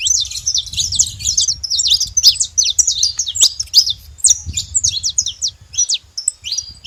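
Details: Free-living saffron finch flock at a feeding spot; dense overlapping sharp tweets and short rising-falling notes run for several seconds, then thin out into sparser chirps near the end, over soft low noise.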